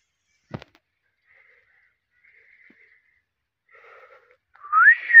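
A rose-ringed parakeet gives one loud, smooth whistle near the end that sweeps upward. Before it come a single click and a few faint, thin tones in a quiet room.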